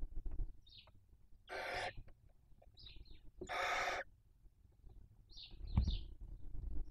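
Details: Barn owl nest in Spain's Cabañeros National Park; the female eats the body of a dead chick and passes the remains to the other chicks. Two drawn-out rasping hisses of about half a second, separated by brief high squeaky notes and scuffling.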